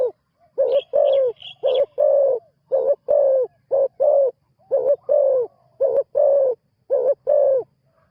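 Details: A new decoy spotted dove, out for its first ground training session, coos deeply and loudly in a rhythmic run of clipped and drawn-out notes, with thin high twitters from other birds near the start.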